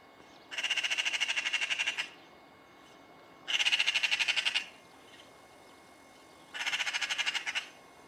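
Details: Magpie recorded in rural Cyprus: three harsh, rattling chatter bursts of rapid dry pulses, each lasting about one and a half seconds, separated by pauses of roughly two seconds over a quiet background.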